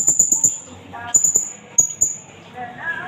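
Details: Blue-crowned hanging parrot, an Indonesian native, calling for luring and tutoring birds. A quick string of four high, sharp chips, then three more, then two isolated notes, with a mosque loudspeaker voice in the background.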